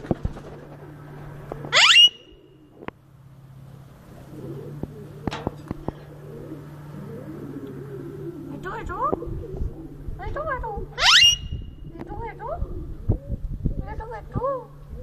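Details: A ringneck parrot in Lahore, Pakistan, lets out two piercing upward-sweeping screeches about nine seconds apart, with soft mumbled speech-like syllables and clicks between them over a low constant hum.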